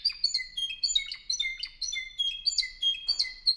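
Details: Spanish Timbrado canary from 2015, a club song bird from Albacete, Spain, delivering rapid repeated whistled phrases, about 98 per minute, mixing high clicks and downward-slurred notes, with a brief soft rustle near the end.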